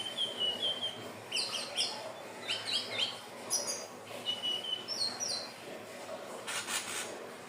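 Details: Hill blue flycatcher song used as a lure for birds: clear whistled phrases, some long and steady, others short and rising, given in quick succession, with a burst of hiss near the end.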